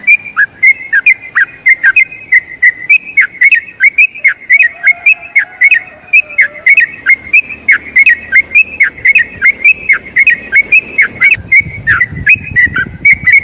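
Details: Long rolling song of a sooty-headed bulbul, played for other bulbuls to learn from: steady stream of bright, short whistled notes with downward flicks, over thirteen seconds; a faint low hum joins near the end.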